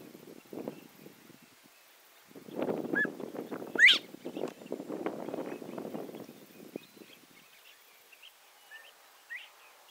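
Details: Northern bobwhite male singing in the morning: a soft short note, then a loud whistled upslurred 'white' sweeping sharply upward, over steady low rustling and handling noise, with faint distant bird notes.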